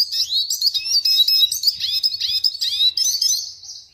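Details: Red siskin singing a continuous stream of high, bright twitters and descending slurs that fades away at the end.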